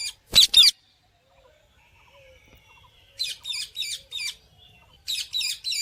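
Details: Parrot calling: a pair of loud, harsh broadband squawks, then after a quiet gap a run of four quick rasping chirps, and finally two more rasping notes, all high-pitched.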